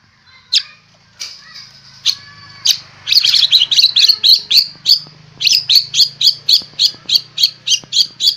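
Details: Fierce-looking White-rumped shama of the fighter type, singing a rich filled-in song: a few scattered high whistles and a trilled phrase, then a fast run of harsh, buzzy notes repeated about four times a second.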